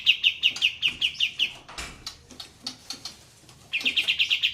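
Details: Sooty-headed bulbuls in a group, singing in the 'tembak' rolling style over trickling water. A steady series of about eight bright, sharp notes, roughly four per second, pauses amid clicks, then returns as a faster rattling run.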